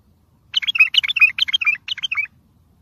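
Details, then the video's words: Training song of the bulbul, tayyariyat sihan, for motivating young birds; one continuous run of clear, liquid whistled and warbled notes lasting nearly two seconds, with quiet background otherwise. "سمع بلابلك طياريات سيحان روعه صوت ماينوصف للتخريج وتحفيز"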